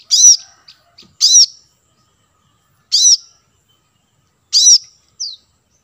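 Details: Lure recording of the plain-throated sunbird (kolibri kelapa) for attracting wild birds: four bright, high, slightly buzzy chirps spaced one to two seconds apart, with small soft ticks between and a thin downslurred note at the end. No other sounds.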